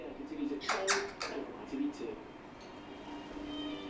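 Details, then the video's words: Young female African grey parrot, 14 weeks old, kept as a pet and finding her voice. She gives squeaky, sweeping chirps and clicks in quick bursts during the first two seconds, then quieter murmurs, with a person's voice nearby. "African Grey Parrot Chatting"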